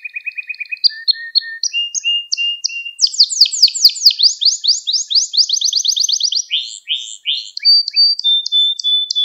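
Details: Canary song recorded as a training aid for young canaries: rapid trills and rolling tours shifting in pitch, fast repeated syllables in runs, buzzy descending sweeps and a long steady whistled note near the end.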